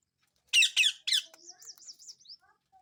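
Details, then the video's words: Indian ringneck parakeet in the morning: three loud harsh squawks, then a quick series of high wavering whistled notes and a few faint soft chirps in a quiet room. "Indian Ringneck Parrot Talking"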